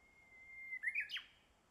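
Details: Japanese bush warbler singing in a village on the Boso area of Japan, 10 April 2013, partly hidden by branches; a long steady whistled note, then a quick rising-and-falling flourish of emphatic notes.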